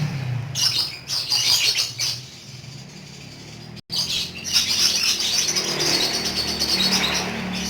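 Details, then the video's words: Pet lovebird doing ngekek: a few high chirp bursts, a quiet pause, then a long, fast, unbroken chattering trill of rapid scratchy notes lasting several seconds. "BURUNG LOVEBIRD TERAPI PANJANG UMUR ‼️GACHOR NGEKEK BIKIN ADEM"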